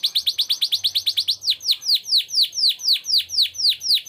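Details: Canary in full song, cengkok mewah style, opening with a quick high trill, then slowing to evenly spaced, drawn-out descending whistles about three per second.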